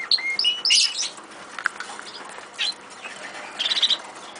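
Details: Eurasian siskins in an aviary give a few short high whistled chirps at the start, followed by wing flutters and scattered quieter twittering.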